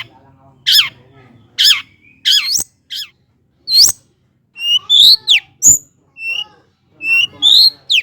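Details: Long-tailed shrike (cendet) song used to provoke lazy birds into singing: harsh scratchy downslurred squawks early, then sharper high chattering and rising notes, spaced irregularly with short silences, faint low hum beneath.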